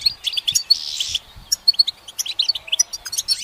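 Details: Goldfinch singing from a branch, opening with a dense buzzy burst, then a quick run of sharp tinkling chips and short trills that carry on to the end.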